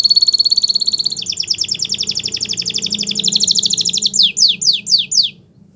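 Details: Belgian canary, singing as a teacher for young birds: long, very fast high trill of even pulsing notes that drops slightly in pitch after a second, ending with five loud separate descending sweeps.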